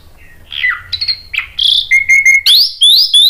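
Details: Orange-headed thrush, stirred by a lure recording, answering in loud ngeplong style: a varied run of clear whistled notes, slurred downward then rising, closing with bright upswept whistles repeated in quick succession.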